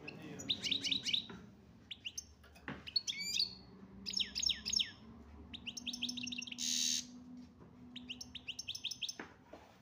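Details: European goldfinch of the chardonneret major type from Algeria singing repeated bursts of fast, metallic twitters and trills, with one buzzy rasp midway and a faint low hum in the background.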